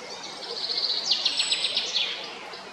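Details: Male Eurasian blackbird at Jarun in Zagreb, Croatia, recorded 22 April 2021, giving a high, rapid squeaky twitter of short repeated notes, rising in loudness midway then fading, against soft background noise.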